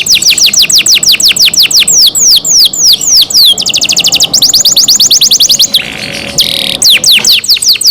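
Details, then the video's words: Kept canary trilling in quick downward sweeps, changing pace between phrases, interrupted near the end by a short burst of broadband noise. "canary Nice sound"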